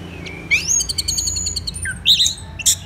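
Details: Orange-headed thrush singing in vigorous form, morning, Kubutambahan, Singaraja, Bali: a short rising whistle, then a rapid run of repeated high buzzy notes and sharp chirps.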